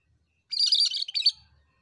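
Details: Lively cucak kerinci bulbul song phrase: roughly a second of rapid, rattling, high twitters ending on a brighter accented note, then quiet.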